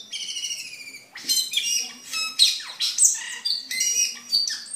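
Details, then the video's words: A cucak keling singing vigorously, used as tutor song for caged birds and for luring: a thin, sustained high whistle, then a burst of varied whistled phrases and sharp chirps, with a faint low background hum. "Suara Burung Cucak Keling Gacor"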